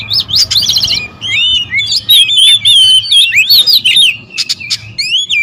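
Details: Oriental magpie-robin, territorial birds, several males sounding agitated and noisy together; loud, varied whistled phrases with rising and falling slurs and rapid chattering notes, overlapping densely, with a low hum underneath.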